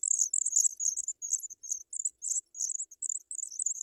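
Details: African pipit chicks in the nest, fed white butterflies by the adults, give very high, thin chattering bursts in quick uneven runs, with brief gaps between groups of notes.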